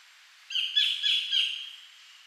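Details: Collared kingfisher calling in the wild at Bung Boraphet, Thailand, recorded in 2011: a harsh, loud call of about three linked notes lasting just over a second, then quiet.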